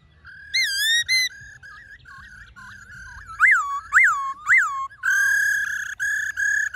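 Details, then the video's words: Black-throated laughingthrush singing forest-style song (giọng rừng), played to call wild birds and spur caged birds to sing: clear whistled notes with rich overtones, three loud arched up-down whistles, then long sustained ringing tones. "Khướu Hót GIỌNG RỪNG - RÉO GỌI BỔI"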